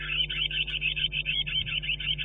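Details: A great tit gives a rapid, continuous run of high, thin contact calls at a nest box in spring (March–April) over a steady low electrical hum, as the male coaxes the female to inspect the box.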